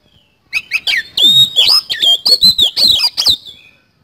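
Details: Oriental magpie-robin in vigorous 'isian kasan' song, a rapid, unbroken stream of bright, slurred whistles with sharp up-and-down sweeps and short clipped notes. Strong phrases follow one another for about three seconds before fading.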